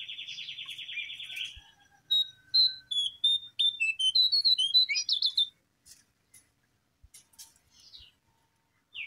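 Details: Brown prinia song used as a lure recording: a buzzy rapid trill, then a run of sharp varied whistled notes climbing and falling, a quick twittering burst, and a few scattered faint chips after a pause.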